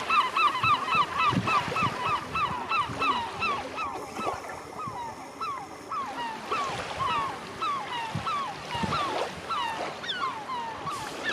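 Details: Gulls at Ustka, Poland: a crowded flock giving constant overlapping nasal, downslurred mewing calls, several every second, with the wash of surf beneath.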